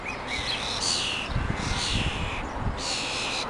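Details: Young common starlings being fed by their mother in a garden, morning; long raspy hissing begging bursts, three in under four seconds, over low rustling movement.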